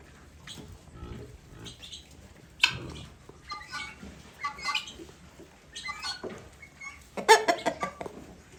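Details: Guineafowl kept apart after fighting with newly bought guineafowl give harsh, broadband squawks and rasping calls in scattered bursts, loudest near the end, over a low background murmur.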